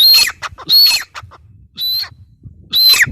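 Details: Grey francolin, called teetar, uttering four loud, shrill whistled phrases with gaps of about half a second to a second between them, over a soft low rumble.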